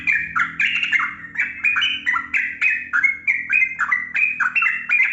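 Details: Yellow-vented bulbul (trucukan) in lively 'gacor' song, a lure for caged birds reluctant to sing. Unbroken chain of rich, gurgling whistled notes that jump up and down in pitch, delivered rapidly throughout.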